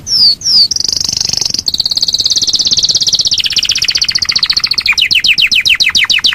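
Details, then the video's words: Yorkshire canary delivering a long rolling song: two slurred notes, then a sustained high rolling trill that slows into separate descending sweeps, repeated about three times a second. "SUARA BURUNG KENARI YOKSHIRE NGEROL PANJANG"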